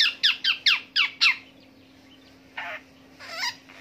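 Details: Long-tailed shrike imitating various birds in a long rolling song: six rapid, sharp, downward-sweeping notes in quick succession, followed by a pause and a few softer, scratchy notes, with a faint steady hum behind.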